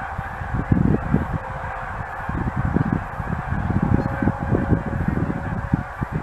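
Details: Geese in a huge flock on their annual stopover, a dense low chorus of honks with a faint steady hum running underneath.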